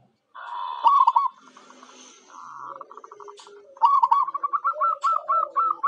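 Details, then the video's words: Local zebra dove (perkutut) song used as a lure for wild birds: bursts of rapid, rolling cooing notes repeated in quick rhythmic series, with pauses between phrases and some sharp clicks and faint background noise. "Suara Perkutut Lokal Jagoannya Pancingan"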